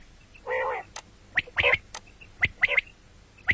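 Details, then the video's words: Common quail, morning and night: a drawn-out nasal buzz followed by sharp, clipped notes in short pairs and threes. "бедана batair ki awaz quil sound beautiful morning and night بٹیروں کی سپیشل زبردست آواز صبح رات"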